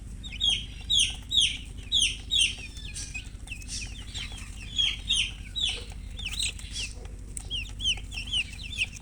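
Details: Colored domestic chickens chirping, with bright, sharp peeps repeated roughly twice a second in bursts, other birds twittering softly between them, and a low steady hum below.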